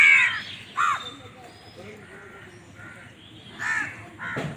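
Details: Crow caws, harsh and ragged, opening loudly, then a second call near one second and two more toward the end, with a faint murmur of other sounds in between.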